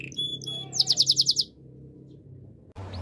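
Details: Belgian canary song used for training: a brief high phrase of thin whistles, then a fast pulsed trill of about eight bright notes, followed by quiet with a low steady hum in the background.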